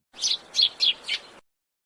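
A sparrow gives four bright, high chirps in quick succession, about a quarter second apart, with nothing else heard.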